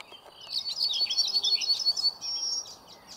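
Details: Yellowhammer singing on 20 May 2023 at Hauptmanca in the Ljubljana Marsh (Ljubljansko Barje), Slovenia: a quick run of high, dry repeated notes for about a second and a half, ending on a long, drawn-out thin note.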